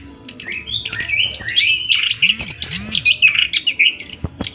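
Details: Orange-headed thrush in a long 'ngroll panjang' rolling song: dense, loud, fast-changing whistled phrases and sweeping notes, ending in a string of short sharp repeated notes about three per second, with a soft low hum.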